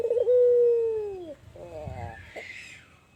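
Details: Tame albino ringneck dove cooing in a hot spot: one low, steady drawn-out coo that slides down at its end, followed by a brief soft rough note and faint background hiss.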